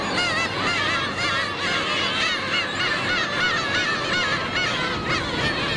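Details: Black-tailed gulls in Otaru, Japan, begging for fish. A crowd of gulls gives overlapping nasal, wavering mewing calls that rise and fall continuously and densely layered, with a steady background roar.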